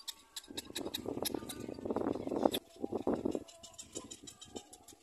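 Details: Little black cormorant chick feeding from its mother: harsh, raspy bursts rise into a dense grating squawk lasting about three seconds, with faint ticking clicks above.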